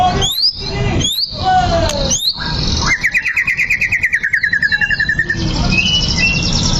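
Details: White-rumped shama song meant to rouse another shama to fight: three sharp rising whistles, then a rapid rattling trill of about twenty notes, ending in thin high whistled phrases over steady background noise.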